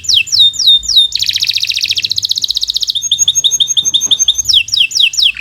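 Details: Canary singing continuous 'gacor' song for a training recording: looping downslurred whistles, a loud rattling trill, a run of short chirps, then rapid sweeping notes.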